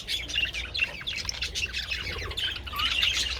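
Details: Budgerigars out in the sun with treats on 27th February, a flock giving rapid overlapping chirps, squeaks and brief whistled notes, with a faint low hum behind.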